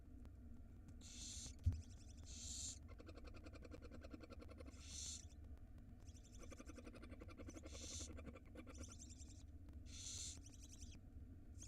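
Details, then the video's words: Barn owl nestlings at feeding time in a nest box in Israel, 2022, giving harsh hissing, broadband screeches about half a second long, repeated every one to two seconds, with rapid clicking, rasping bursts between them and a low steady hum underneath. "Barn Owl Feeding Time For the Tiny Nestlings"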